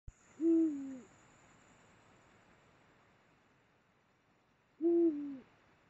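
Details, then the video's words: Eurasian eagle-owl during mating at the Mosel, Germany, late January 2022: two deep hoots, each dipping at the end, about four seconds apart, with quiet background between. "Eurasian Eagle-Owl mating. Uhu Kopulation."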